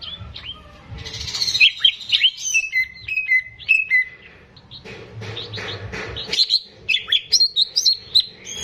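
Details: Greater green leafbird recorded from a caged competition bird for training young birds: clear descending whistles and sharp chirps in lively phrases, a short quieter gap, then renewed rapid chirping.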